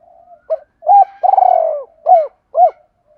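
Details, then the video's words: Spotted dove, a Vietnamese cu gáy bird, calling in a fast, rousing cooing style: a run of mellow, low hoots with one longer throaty trill, then two short downslurred coos about half a second apart, with a faint squeaky note beside it. "tiếng chim cu gáy kích bổi nhanh nổi"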